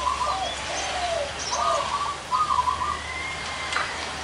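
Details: Zebra doves with large and small voices in one place, three trilled cooing phrases in quick succession with softer lower answering notes, then a thin rising whistle from another bird.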